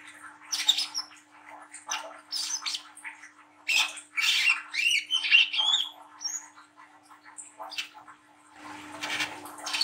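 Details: Juvenile trotol brown-throated sunbird in full ngriwik nglagu song, a lure for young birds: rapid, uneven run of sharp, scratchy, squeaky notes and rasps, some thin whistled slurs, faint hum throughout and a low rumble near the end.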